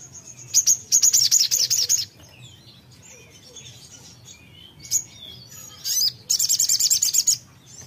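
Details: Two bursts of fast, high, buzzy repeated chirps from a songbird, with scattered soft thin whistles and a brief loud note between them.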